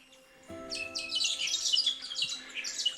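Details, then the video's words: Many crescent honeyeaters in Tasmania's South-West Wilderness call at once in a busy, overlapping chatter of sharp, high chips and squeaky notes, over a steady low musical drone. "Crescent Honeyeaters"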